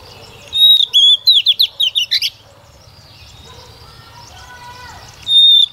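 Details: Female white-rumped shama song used to provoke males to sing: a whistled note, then about eight quick downslurred notes, a pause with faint background tones, and a closing whistle.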